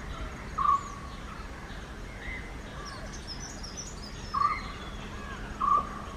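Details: Indian grey hornbill pair, with three brief squealing call notes spaced irregularly and quiet ambient noise between them.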